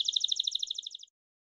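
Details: Belgian canary, bell song: about one second of clear, evenly spaced high pulsed notes in a quick trill, which then fades into silence.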